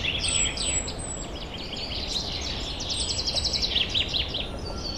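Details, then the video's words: Spring woodland chorus recorded in 2023: several birds overlap with high chirps and short whistles, ending in a quick run of sharp repeated notes, all set against a constant low hiss and rumble. "Пение лесных птиц"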